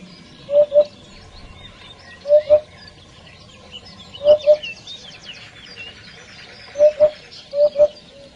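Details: Eurasian hoopoe calling to its flock, giving soft, low hollow double hoots repeated roughly every two seconds, while other small birds chirp and twitter faintly in the background.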